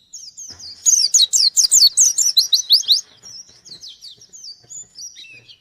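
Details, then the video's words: Challenging a rival, a white-eye fires a rapid burst of loud, falling whistled notes, then trails off into softer, thin twittering phrases. "Burung pleci gacor nyari lawan"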